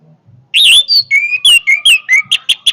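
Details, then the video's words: Orange-headed thrush delivering a powerful song: after half a second of near silence, loud whistled and slurred phrases, some falling and some buzzy, run for about two seconds and end in short repeated high notes. "kicauan Anis merah yang bertenaga"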